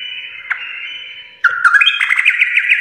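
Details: Sooty-headed bulbul singing full garuda style: a steady buzzy trill, then an abrupt switch into louder, rapidly clicking, warbling chatter.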